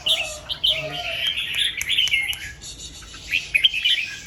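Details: Red-whiskered bulbul singing early in the morning in the 'double 2-3' and 'rik' styles: a long run of chattering whistled notes, then short sharp chirps, with soft low whistles behind.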